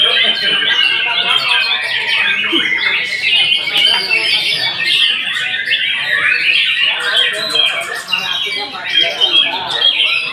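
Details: White-rumped shama in a dense, chattering stream of high twitters, rasps and quick notes, running without a break for ten seconds.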